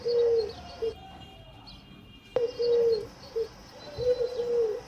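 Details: Low pigeon cooing in short repeated phrases, interrupted once by a sharp click.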